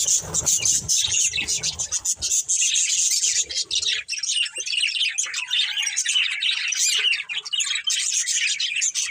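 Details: A group of pet budgerigars fills the air with dense, unbroken chattering, high squeaky chirps and grating warbles layered together, with some low clatter early on.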